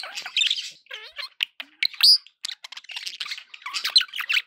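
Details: Several budgerigars chatter in a busy, high-pitched warble of scratchy chirps, squawks and short clicks, with a sharp rising whistle near the middle, a recording intended to keep pet parakeets company.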